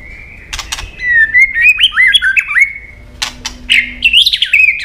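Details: White-rumped shama singing in competition style, a long wild-type song: a sustained whistled tone leading into stepped, warbling notes, then after a sharp burst, fast rising and falling whistled phrases.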